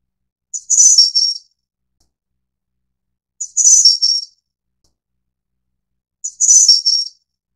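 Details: Three thin, high, jingling phrases from a Snowy-browed Flycatcher (Taiwan endemic subspecies Ficedula hyperythra innexa), each under a second with notes falling slightly, separated by roughly three-second pauses and otherwise silence.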